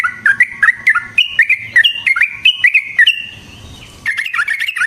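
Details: Energetic Yellow-vented bulbul chatter meant as a lure for other bulbuls. Clear, bouncy, slurred notes roll up and down in quick succession, fade briefly, then a fast bubbling phrase resumes.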